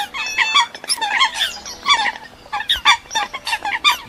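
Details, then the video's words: Eurasian coot lure recording: a dense run of short, nasal, squeaky calls, several overlapping at about one a second, with no other clear sounds. "Tiếng Sâm Cầm"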